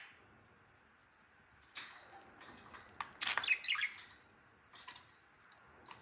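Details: Pet budgerigar mating with and feeding a plush toy gives scratchy chatter broken by bright, quick chirps in short bursts.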